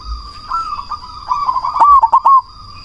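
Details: Zebra dove of the black cemani variety, a loud, persistent singer, used as a lure to make rival doves answer. A soft rolling coo leads into a louder burst of clipped, stuttering coo notes. A steady high electronic whine runs underneath.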